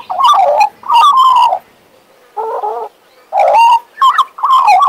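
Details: A male Western Australian magpie, a pet, pours out full, mellow carolling phrases with a softer, nasal gurgle in the middle, then resumes loud fluty warbles.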